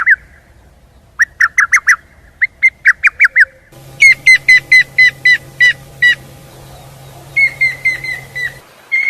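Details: Birds in the morning giving bright, rapid chirps in short bursts of four to six. A low steady hum runs underneath during the middle stretch.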